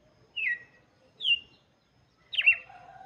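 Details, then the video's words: Red-cowled cardinal singing for chicks, three downslurred notes, the last broader and followed by a lower tonal sound, with faint background noise. "cantoria de galo de campina para Filhotes - canto do galo de campina"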